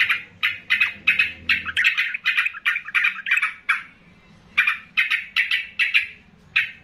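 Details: Loud, chatty yellow-vented bulbul, one of several provoked into agitated calling. Bubbly notes near the middle of the range repeat rapidly in two bursts with a short pause between them.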